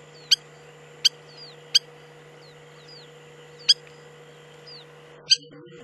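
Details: Spur-winged lapwing at Agamon Hula, Upper Galilee, Israel, giving sharp ringing ticks at irregular intervals, each echoed by a thin downward-bending whistle, with a faint continuous hum and a brief rustle at the end.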